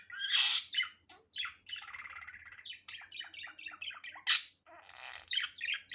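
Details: Budgerigar calling naturally in an unedited recording: bursts of harsh squawks and rapid chirps, then scratchy warbled chatter of short buzzy notes rising and falling, with a loud screech near the middle.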